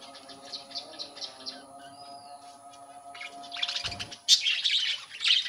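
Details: Budgerigars in a breeding colony where baby budgies have come out: a quiet stretch with a steady low hum, then a burst of high, scratchy chirps and warbles over the last two seconds.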